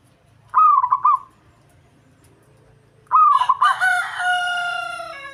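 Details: Zebra dove, a local Indonesian bird singing to provoke a rival. Two rapid, pulsing coo phrases; a rooster crows loudly over the second and trails off in a long drawn note.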